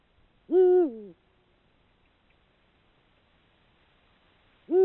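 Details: Male Eurasian eagle-owl in breeding season hooting to mark territory from a perch: one deep, harmonic-rich hoot held steady, then sliding lower and fading, followed by about three and a half seconds of quiet before the next hoot begins.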